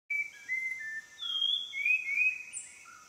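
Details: A Spot-winged thrush, a Near Threatened Sri Lankan endemic, sings clear, fluting whistles in short varied phrases, some level and some sliding, in lowland rainforest at Sinharaja National Park, Sri Lanka, over faint hiss.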